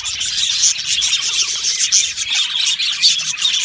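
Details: An aviary flock of yellow male budgerigars keeps up lively, shrill chatter, with a few brighter whistled chirps standing out above the steady twittering.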